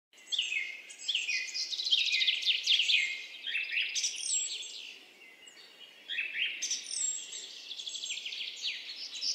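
Alpine accentor giving rapid, high twittering and trilling phrases in two long bursts with a short lull between, over faint background hiss.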